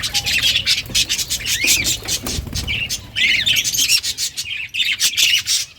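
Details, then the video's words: Caged Australian budgies in a breeding colony chatter together, quick overlapping chirps and warbles in pulses, bright and high, with soft low rumble underneath. "Budgies breeding progress and chirping sounds"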